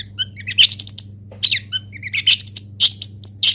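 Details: Long-tailed shrike from a local master song set delivering a dense, jumbled medley of squeaky whistles, rising slurs and scratchy chatter with barely any pause, steady low hum underneath.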